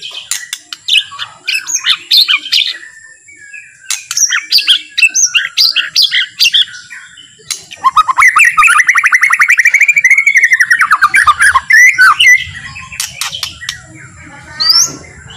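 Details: Relaxed, slow white-rumped shama song used to stir other shamas into full, agitated singing; jumbled chirps and whistles, then a long rapid run of repeated notes swelling in a rising-and-falling arc, finishing with scattered chirps.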